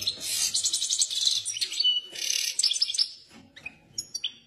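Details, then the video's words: Excited European goldfinch giving two rapid runs of high, rattling, twittery song, followed by a few isolated sharp chirps. "طائر الحسون هائج"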